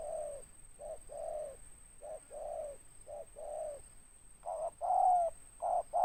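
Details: Big-voiced raspy 'ngeruk' spotted dove (tekukur) with 'tindan' notes: a steady chain of short-long coo pairs, quieter at first, then louder, fuller notes with a falling tail near the end, over a thin high whine.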